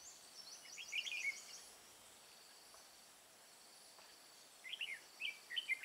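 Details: Red-whiskered bulbul decoy singing during trapping of wild birds in mountain forest, Hòa Bình, Vietnam, 5 February 2017: short bright warbled phrases near the start and again near the end, over a steady high insect buzz.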